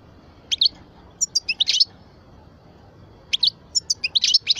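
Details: A 12-year-old parva-type European goldfinch gives two short bursts of high twittering notes and bright chips, separated by a pause of about a second and a half.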